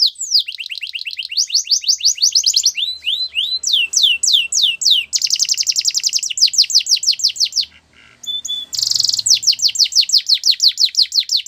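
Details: Training song of a canary, delivered in long rapid tours of repeated descending sweeps high in pitch, shifting speed and tone between phrases, with a short dip near the end before another fast rolling sequence; clean, quiet background.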